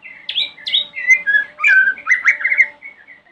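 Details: Morning song of a White-rumped shama meant to draw replies from rival shamas: rapid sequence of clear whistles, a couple of high upslurred notes, then a fast buzzy warbling run, with a faint steady hum beneath.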